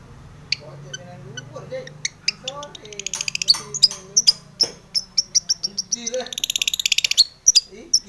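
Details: Long-tailed shrike in full varied song, used to provoke other shrikes into singing. Sharp high chips and clicks come in an uneven, quickening series. Low murmuring voices and laughter sit underneath in the first half.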